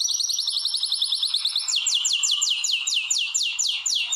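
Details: Canaries in a breeding room prepared for mating; a fast, even trill with a faint high overtone line switches to slower, bold, downward-slurred whistles repeated about three times a second.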